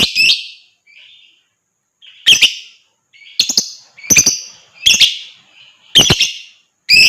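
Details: Lovebird sound meant to set other birds singing: loud, harsh, high chirps and squawks in spaced bursts about once a second, with a few softer notes between them.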